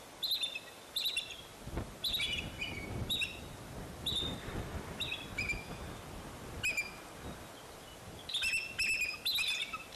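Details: Bald eagle at Fraser Point on 04-10-2019, when eaglets fell out of the nest and an eagle returned; high, thin chirping notes in short stuttering bursts, some with slurred falling tails, scattered through the ten seconds over faint background noise.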